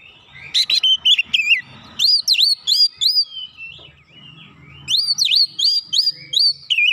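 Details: Kacer, the Oriental magpie-robin, sings rapid 'nembak rapat' song for a master training recording: a burst of fast chattering whistles, then evenly paced swooping notes, a one-second pause, and another run of whistles.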